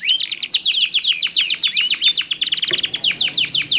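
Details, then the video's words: Two domestic canaries sing back and forth in different voice tones, used to prompt other canaries into song and to train young or post-moult birds; rapid high descending chirps in dense continuous trills with occasional whistled notes. "SUARA KICAUAN KENARI GACOR SALING BERSAUTAN"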